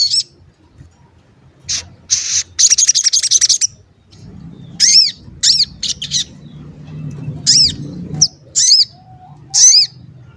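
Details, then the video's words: Sogon (crested jay), known for 'cuit cuit' calls, heard as a lure to make other sogon sing: a quick stuttering series of high chirps, then single arched, whistled notes spaced about a second apart. "Pancingan Sogon Agar Bunyi dan Emosi"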